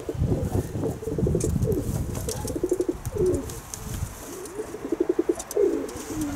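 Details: Kept pigeons cooing: several low pulsed, throaty coo phrases in quick runs, rising and falling, with rustling and handling noise and some wing flutter in the background.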